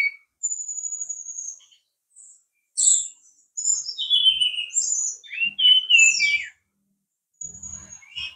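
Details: Brown-chested jungle flycatcher from Bali in a long varied song: thin sustained high whistles, slurred downward notes and quick twittering phrases, a pause, then soft low tapping sounds.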